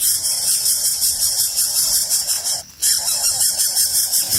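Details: Hungry wild nestlings in a nest beg loudly as the parent arrives with food, giving a continuous high, hissing-squealing chorus with a steady pulsing rhythm that breaks off briefly partway through.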